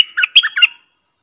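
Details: Streak-eared bulbul kept as a decoy to draw in wild birds. It gives a brief, squawky warbled phrase of four or five slurred notes that rise and fall, lasting under a second, in otherwise quiet surroundings.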